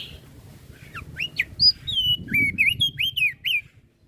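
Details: Crested white-eye from Flores singing energetically to rile up other birds: a run of clear whistled notes, some rising, some falling or looped, coming roughly twice a second over faint low background hum.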